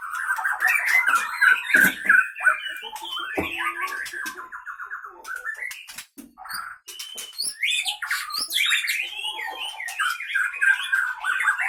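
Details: Fighting white-rumped shama in a cage, Leuser Pining bird from Gayo Lues regency, Aceh, Indonesia: long, continuous sharp song of chattering trills, clicks and whistled phrases, with a brief pause midway before rapid varied notes resume.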